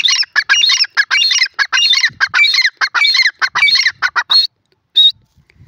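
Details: Grey francolin calling: a rapid, dense run of harsh, squeaky, ringing notes in repeated phrases for about four and a half seconds, then a short pause and one final sharp note.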